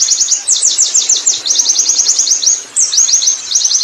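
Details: Wild Oriental white-eye delivering ngerol song, a breathless run of thin, high downslurred notes. It pauses briefly near the end, then resumes with quick chips.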